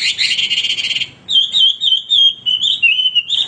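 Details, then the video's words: Male Hwamei in continuous song: a harsh rapid chattering burst, then clear sustained whistled notes that waver up and down in pitch, ending in another rough note. "wambi gacor berkicau tanpa henti"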